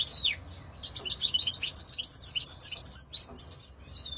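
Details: European goldfinch singing a fast, liquid twittering phrase of sliding, high whistled notes and trills, rising in loudness and running almost continuously.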